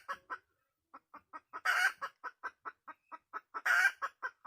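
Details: Wild red junglefowl hen calling intensely: a brief pause, then a run of sharp clucks broken by two loud, harsh cackles.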